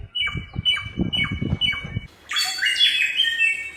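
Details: Bare-throated Whistler, an Indonesian endemic known locally as garugiwa, in the wild: four evenly spaced high whistles, each ending in a quick downward flick, then a rich, buzzy burst of overlapping tones, with low rumbling background noise.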